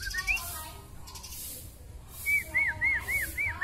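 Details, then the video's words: Long-tailed Kalimantan white-rumped shama in full, imitation-rich song: clear whistled upslurred notes, then a run of five arched whistles about every quarter second near the end, with soft background hiss. "Murai batu K.L ekor terpanjang gacor mutah isian"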